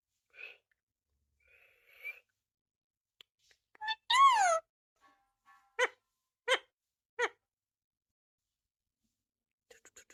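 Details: A parrot gives scattered soft chirps and clicks, then one loud, drawn-out, wavering screech, followed by three short sharp squawks in a row and a few faint ticks at the end.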